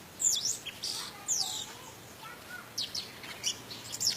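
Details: Orange-headed thrush singing in 'teler' style with rich fill-ins, used to stimulate other birds. Thin, very high twittering notes come in short bursts, with soft lower slurred whistles between them.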